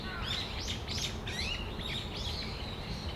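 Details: Afternoon in December at Tamagawadai Park, brown-eared bulbuls calling. A quick run of loud, arching squealed notes, several per second, overlaps with other birds against a low rumbling background.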